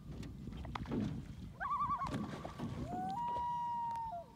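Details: Common loon on a lake, a mother chasing two invaders away: a brief quavering tremolo, then a long clear level wail that slides up and holds before dropping, over boat and water noise.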